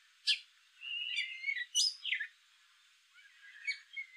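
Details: Male gray catbird giving a jumble of short chirps: a sharp high note, then slurred squeaky phrases rising and falling, a pause, and a few softer chirps near the end, with a quiet background.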